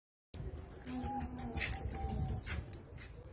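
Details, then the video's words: Javan cochoa song used as a master recording for training songbirds: a run of about a dozen thin, high whistled notes, each a steady level tone, repeated almost three times a second and ending in two longer, slightly falling whistles. "Burung Kemade Gunung master handal untuk pikat suaranya lebih keras"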